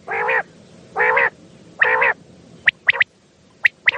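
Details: Night-time common quail sounds played as a hunting lure: three buzzy nasal honks spaced about a second apart, then quick clipped high triple notes.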